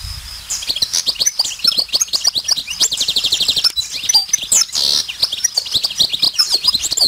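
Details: A wild, untutored European goldfinch, already somewhat in breeding condition, singing on a flowering almond branch: a fast, liquid, continuous stream of high tinkling twitters and buzzy trills, with phrases running together without pause.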